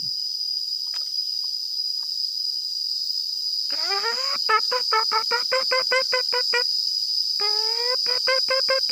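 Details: Red junglefowl (Gallus gallus), thought to be a hen, calling unseen about 50 metres away in hill forest, apparently calling for a male: a quick run of harsh clucking notes over a steady high insect drone.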